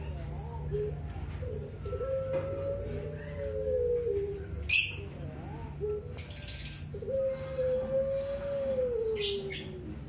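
Barbary dove giving two long, high, drawn-out coos of about three seconds each, swelling slightly then sliding down at the end, over a low hum and a few clicks.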